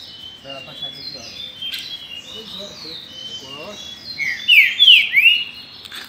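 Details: Green-winged saltator owned as a cage bird, recorded during its 2019 season, gives a powerful run of three or four slurred, downward whistles near the end over busy background chirping.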